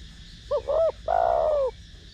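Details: Spotted dove singing in the 'thổ đồng' voice style, used to stimulate decoy doves: one cooing phrase of two short hollow notes followed by a longer, slightly falling coo.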